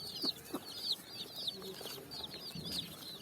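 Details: Colourful chicks running and jumping on sand at evening, searching for food: high, thin downward-sliding peeps, scattered and overlapping at an uneven pace, over a faint low background rumble.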